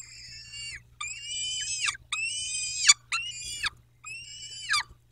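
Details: Peregrine falcons at the nest in Dobra, 14 May 2021, 14:18: five long, wailing harmonic calls, each under a second and falling at the end, repeated about once per second with short silences between.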